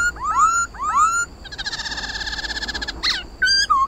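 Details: Laughingthrush (khướu mun) 'hót đấu' song for stirring pet birds: two upswept whistles followed by a long, fast pulsing rattle and a final short whistle.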